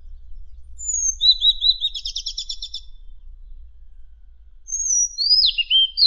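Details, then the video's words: Isian song of a Madagascar magpie-robin for training contest songbirds: a thin high whistle leading into a rapid buzzy trill, a pause, then whistles that swoop down. "Isian Suara Burung Kader Madagaskar Unik"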